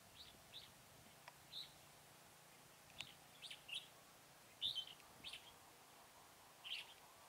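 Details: At Chùa Hương in Mỹ Đức, during bulbul trapping on 11 November 2017, a red-whiskered bulbul gives sparse, sharp, squeaky whistled notes, singly and in short pairs, with gaps between them against soft background noise.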